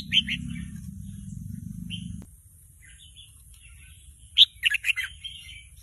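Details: Young caged red-whiskered bulbul learning to sing and copying a played bird recording; a couple of early chirps over low hum, then a quieter pause and a loud tumbling run of five or six bright whistled syllables.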